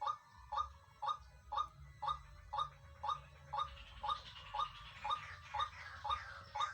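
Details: A pair of white-breasted waterhens calling in the wild: a steady run of harsh, croaking notes, about two each second in an even rhythm, with a second, busier voice overlapping from the midpoint.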